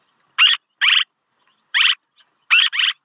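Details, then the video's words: Swallow calling for a luring recording: harsh buzzy chirps delivered in pairs and singles, each pair closely spaced, in a brief clean passage. "ສຽງນົກແອ່ນ ຄໍເລດ(ສໍາລັບຕໍ່) Tiếng én, Tiếng Chim Én เสืยงนกแอ่น"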